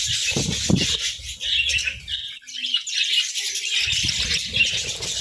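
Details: Budgerigars chirp over grass and moringa during winter feeding: bright high twitters and warbles, a short quieter gap near two and a half seconds, and low crunching bursts at the beginning and close.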